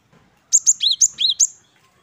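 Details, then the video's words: Great tit (Parus major) singing quick two-note phrases, a thin high note dropping to a lower slurred one, repeated three times in about a second. "Gelatik Batu Wingko Gacor"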